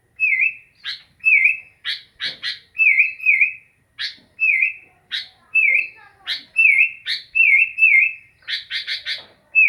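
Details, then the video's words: Sooty-headed bulbul singing: short warbled notes near the same pitch, often doubled, alternating with sharp high chips and quick bursts of three, repeated steadily over a quiet background. "Burung kutilang asyik"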